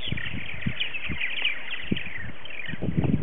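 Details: Early-season morning social at a purple martin colony, February 28, 2018, with 60 to 70 adult birds around gourds; a busy wash of overlapping high chirps and gurgles over low rumbling wind.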